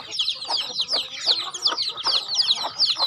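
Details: Feeding-time calls of farm chickens: close, loud, thin peeps that drop quickly in pitch, given in clustered bursts about every half second, with softer peeps behind.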